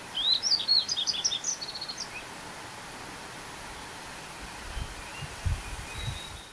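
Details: Yellow-throated bunting, a resident bird described as having a clear, sweet voice, recorded during weekend neighbourhood birding in Korea: a rapid, high twittering phrase of short chirps and trills over about two seconds, then steady background noise with faint low thumps.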